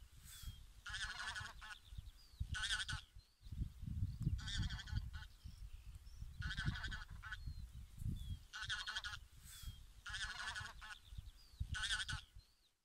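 Bean goose giving bursts of nasal, reedy honks, several at a time, every couple of seconds, over steady low rumbling wind noise.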